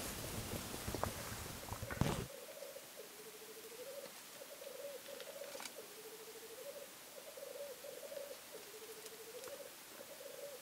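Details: Black grouse observed from a hide over a weekend: after a loud rustle and thump, clear bubbling phrases follow one another, each a wavering rolling coo ending in a lower trill, repeated about every two seconds.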